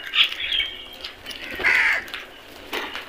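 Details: Crows in a flock while eating: a drawn-out, hoarse caw and a second loud grating call, with fainter calls around them.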